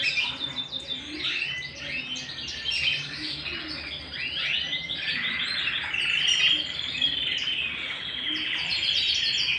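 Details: Canary at home delivering fast chattering song, about four notes per second, of stacked rising and falling sweeps that build into a dense, bright trill.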